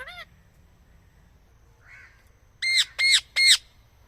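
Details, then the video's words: Parrot giving a short call, a faint rising note, then three loud, harsh, harmonic squawks about half a second apart, in an otherwise quiet setting. "parrot nice voice talk"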